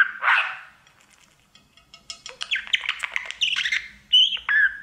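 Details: Caged budgerigar warbling at its mirror; one harsh squawk, a quiet gap, then fast ticking chatter and bright chirps building into squeaky, rising and falling whistles.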